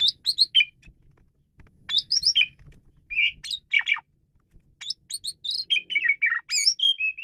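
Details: Caged Asian pied starling, used to tutor other songbirds, delivering scattered groups of sharp whistles and harsh chattering notes, then a fast continuous run of varied whistled and scratchy phrases toward the end.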